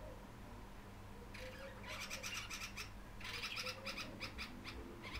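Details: A dark-capped bulbul in Gauteng, South Africa, annoyed at Cape sparrows eating suet, gives two bouts of harsh, rasping chatter, each a quick run of scratchy notes about two seconds long, over a low steady hum.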